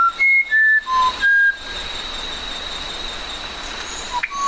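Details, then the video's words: Musician wren whistling four clean, sustained notes at different pitches in quick succession, then a quiet stretch with a steady high background tone and one last brief whistle at the end. "SONIDOS del CUCARACHERO MUSICAL"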